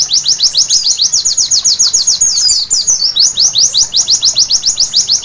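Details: White-eye (pleci) singing at night, meant to make birds sing at once: quick, high falling notes in even rapid series, with a short twisted warble in the middle before the run restarts.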